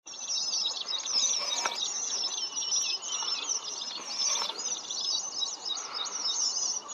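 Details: Red avadavats in a flock, many birds calling at once: a dense, continuous wash of thin, high chirps and short whistled notes overlapping without pause, with faint low background noise.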